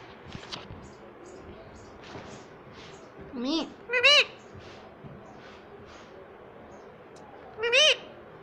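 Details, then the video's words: Talking pet ringneck parrot, rose-ringed parakeet, utters three short wavering, harmonic voice-like phrases near 3.5, 4 and 8 seconds over steady human speech in a room. "Talking Parrot _ Cute Ringneck Parrot"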